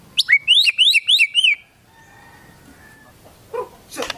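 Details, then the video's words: White-rumped shama delivering a quick string of five or six bright, rising whistled notes in under two seconds, followed by near quiet and two faint distant noises. "MURAI BATU GACOR FULL ISIAN TEMBAKAN KAPAS TEMBAK DLL"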